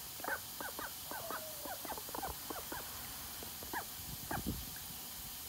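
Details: A call duck, out for its morning bath, quacks in a fast, excited string of short harmonic notes that slows toward the end with a few spaced calls, over low ambient noise.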